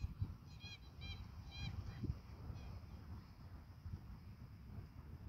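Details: A flock of greater white-fronted geese feeding in rice paddies give three or four distant, high, yelping double notes in quick succession over a steady low rumble of wind.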